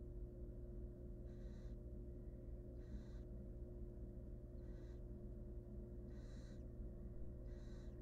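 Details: Hungry wild barn owl nestlings in a research nest box produce five harsh hissing screeches at uneven intervals of one to two seconds, with a continuous low electrical hum throughout.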